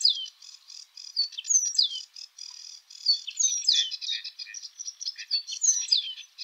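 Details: Eurasian penduline tit song from Europe: thin, high, descending whistled notes repeated every second or so, mixed with soft rapid ticking and twittering between them. No other clear sounds.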